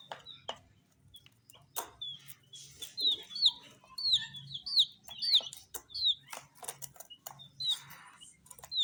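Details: Coloured chicks eating spicy snack puffs. Scattered peeps give way to a run of loud, sharply falling chirps roughly every half second, with dry pecking clicks throughout over a faint hum.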